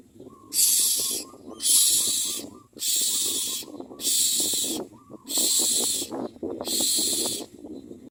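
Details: Common myna (Acridotheres tristis) at a nest feeding its chick: six harsh, breathy hissing bursts, each under a second, come roughly once a second over softer, lower chattering notes.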